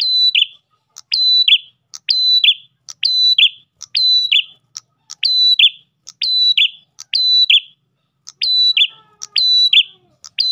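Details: Ash tailorbird singing a lure song for attracting other tailorbirds: a short, very regular phrase of a click, a clear high whistle and a buzzy falling note, repeated about once per second for ten seconds.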